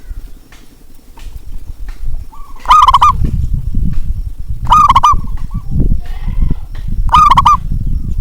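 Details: Local zebra dove with a big voice, used to prompt doves that are slow to sing: three loud trilled coos, each preceded by a soft note, over heavy low rumbling background noise.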